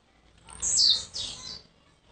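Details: A single high, buzzy burst dropping in pitch, split into two quick parts, from a young blue-black grassquit from Jacarepaguá in Rio de Janeiro, over a low background rumble.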